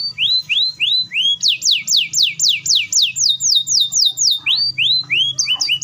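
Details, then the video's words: Caged-bird style canary song, a long fast roll aimed at triggering other canaries: rising chirps, then a run of steep descending whistled sweeps, then upslurred notes, all high-pitched and quickly repeated. "KENARI GACOR ROLL PANJANG SPEED RAPAT❗CUKUP 3 DETIK KENARI PAUD DAN MACET TOTOL SEKETIKA NYAUT!"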